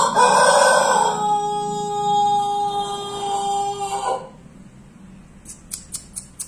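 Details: Long crowing of a Pelung chicken: a loud, harsh opening swells into a sustained even tone lasting about four seconds, ending with a short ragged flourish, then faint clicking.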